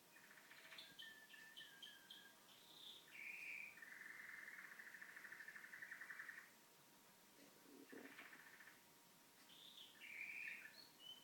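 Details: Pet canary singing at home during TV time: quick varied chirps and short twittering notes, then a long steady pulsed roll lasting nearly three seconds, a brief pause, and more twittered phrases with a bright trill near the end.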